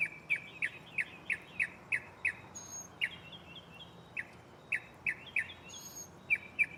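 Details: Mockingbird at night in a nearby tree, running through its catalog of songs: crisp downslurred chips repeated in quick series, broken by brief higher rasping notes and short gaps.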